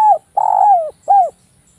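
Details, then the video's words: Close, sharp coos from a Javanese spotted dove used as a lure call for other doves: a falling note, a long sustained coo sliding down, then a shorter arched coo. "suara derkuku Jawa ini, suara rapat tajam cocok buat pancingan"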